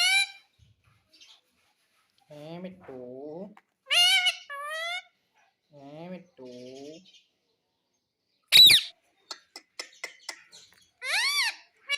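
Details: Pet Indian ringneck parakeet, a talking parrot said to say mummy and papa; shrill, arching, harmonic utterances burst out in short bouts between calmer stretches of a person's voice coaxing it indoors.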